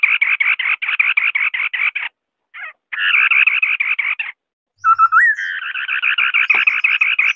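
A white-browed scimitar babbler sings fast bursts of short, rapidly repeated mid-pitched notes, about eight a second, broken by brief pauses and a rising whistled note.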